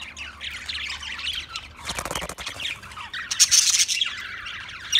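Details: Chirping Budgerigar, an Australian parrot, giving a busy run of high warbled and squeaky notes, broken midway by a brief rustling or scratching noise, then resuming with bright sharp chirps.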